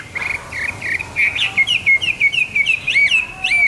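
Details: Morning song of a hwamei: a brisk series of clear, upslurred whistles, each note repeated several times, speeding up and climbing into looping, higher-pitched phrases near the end.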